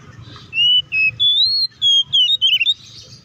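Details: Oriental magpie-robin (kacer) singing loud ngeplong fighting-style phrases, used to provoke other magpie-robins; a sequence of clean whistles, mostly level, ending in quick twisting notes, over a soft low rumble.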